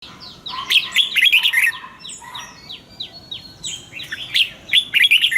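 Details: Red-whiskered bulbul morning song, double-note style, played to train caged birds: bursts of bright, warbled chirpy phrases at the start and end, with a run of short, descending whistled notes in between.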